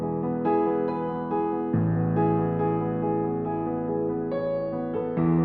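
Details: Gentle electric piano music with sustained chords; no animal calls.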